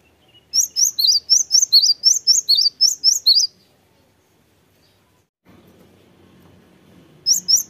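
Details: Cinereous tit in full song: a burst of roughly thirteen sharp, high, rhythmic chirps, then about two seconds of silence, a soft low hum, and a new burst of the same chirping beginning at the end.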